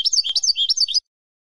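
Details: Spanish European goldfinch (Carduelis carduelis) song: a quick burst of high, tinkling twitters, about a dozen liquid notes in one second, then silence.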